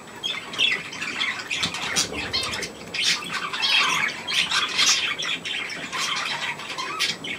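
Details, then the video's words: Young budgerigars with millet on 3 May 2024 keep up grating, buzzy squawks and twitters in overlapping bursts, followed by a person calling to them in German. "Hirse und die Jungen Wellis"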